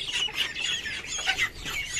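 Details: A captive quail in Karachi, kept apart after fighting with other quail, gives quick, high chirping calls, several in two seconds. It has been calling a lot since morning, and other small birds chatter in the background.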